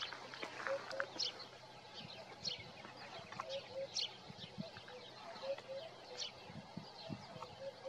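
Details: Eurasian hoopoe singing in the morning, recorded with a Nikon Coolpix P1000: soft, low hooting notes in pairs, repeated steadily, while other small birds chirp high and brightly throughout.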